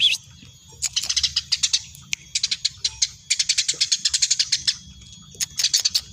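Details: Very tame Eurasian tree sparrow chirping actively: bursts of rapid, high, bright chirps, several per second, in runs of one to two seconds separated by short pauses, with a soft low hum beneath.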